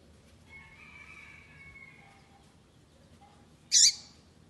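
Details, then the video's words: A single quick, high, scratchy chirp from a female double-collared seedeater calling to urge a male to sing, preceded by a faint, level whistled tone and a quiet background hum. "FÊMEA PAPA CAPIM PIANDO PARA O SEU PAPA CAPIM FICAR LOUCO PRA CANTAR"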